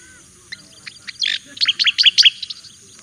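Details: Javan white-eye master song for training: scattered soft notes, a harsh buzzy note, then a quick chattering run of high, descending chirps.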